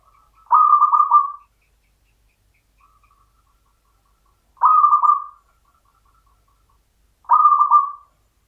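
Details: Local champion zebra dove singing in the Mataram style (irama pakem Mataram): three low, warbling coo phrases, each about one second long, separated by pauses of roughly three seconds, in an otherwise quiet setting.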